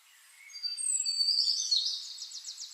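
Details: High, thin tsit and seee notes from a flame-faced tanager swell into a bright, squeaky run, ending in a quick series of rapid, buzzy ticks.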